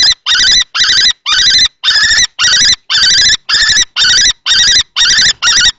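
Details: Common kestrels at a nest box in Théding, 20 March 2024: an adult male fights a young male in juvenile plumage for the box, where a female is present. Harsh, wavering notes repeat about twice a second in a steady series.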